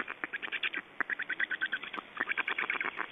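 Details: Estonian black storks at feeding time on 8 June 2012: rapid, rhythmic, nasal chattering calls in quick bursts of several per second, with a short pause partway through.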